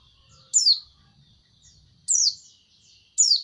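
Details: White-eye giving three separate sharp, high, down-slurred chirps spaced over about three seconds, with quiet low rumble in between.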